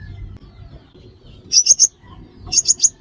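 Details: Sunbird, locally named five-coloured sunbird, used to lure birds into traps: two quick triplets of bright, high, clipped chips about a second apart, over a quiet low murmur.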